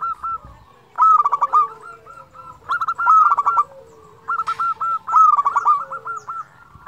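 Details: Local zebra dove cooing vigorously to rouse other doves to sing: repeated phrases of quick, hooked coo notes, each bout opening loudly and trailing off into a steady stuttering series, about every two seconds.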